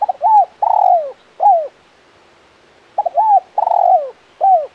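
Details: Male spotted dove in 'kuk 1 mersik' style gives two close phrases. Each has a short double note, an arched coo, a long throbbing descending coo, and a separate downslurred coo to finish. The surroundings are quiet.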